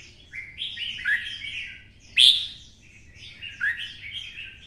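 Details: Caged red-whiskered bulbul of the twisted-voice style, stimulated to sing for song-fighting: warbled phrases around mid-high pitch with a loud sharp burst in the middle, then more rising chattering notes.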